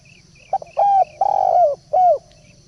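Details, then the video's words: A single spotted dove decoy phrase used to attract birds: a short clipped note, then three rounded coos, the second longest and sliding downward at its end. Faint background hum. "pancingan burung balam/tekukur"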